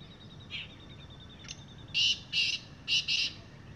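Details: Wild black francolin calling from the ground on an evening: a harsh, grating phrase of four loud, buzzy notes in two pairs, following faint thin whistles, over a low steady background hum.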